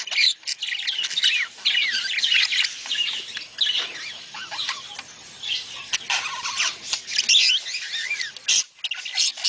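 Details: Budgerigar mating chatter used to stimulate breeding. A busy, unbroken stream of warbling, squeaky and scratchy notes continues throughout, with several birds seemingly calling at once.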